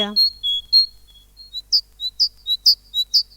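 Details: Tit song played in a children's lesson on birds: high, thin notes repeated at a steady pace, alternating between two pitches, with a short opening sound before the series.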